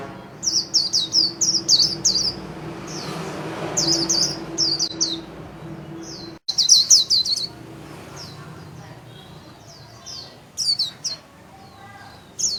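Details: Japanese white-eye in a cage giving its líu song, wings spread: quick strings of high, sharp, downslurred chirps, several bursts with brief pauses, over a soft hum and occasional hiss.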